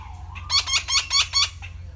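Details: Red-breasted parakeet, a resident bird found across Thailand except the south: a quick burst of five harsh, rasping notes in under a second and a half, each broad and buzzy, over a steady low hum.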